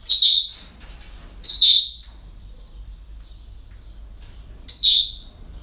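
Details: Parrots at a breeding centre on an ordinary day give three strident, hoarse screeches, irregularly spaced about one and a half to three seconds apart, with faint clicks between.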